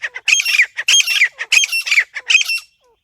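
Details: Grey francolin giving a lure call for hunting. Loud, rasping multi-note phrases come about every half second, four in a row, then stop abruptly into quiet.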